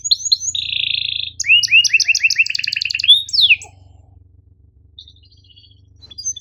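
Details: Lively canary song used to tutor young or quiet canaries, with sharp chirps and rolls: a bright sustained buzzy note, rapid sweeping trills and a dense rattle, then near silence with a few faint high chirps.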